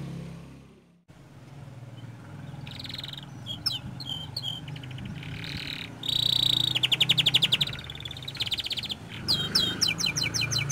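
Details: Young canary heard over a strong low rumbling background, its high trills and rapid repeated chirps growing clearer and louder in the second half.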